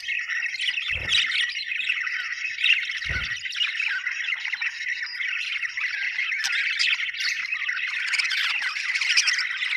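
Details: Budgerigars chattering in a steady flock murmur of scratchy chirps and squawks, with two soft low thumps in the first few seconds and sharper tweets near the end.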